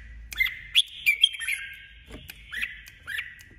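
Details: Red-whiskered bulbul, a female decoy bird singing competitively. A quick run of bright, slurred whistles is followed by two shorter downward-swooping notes.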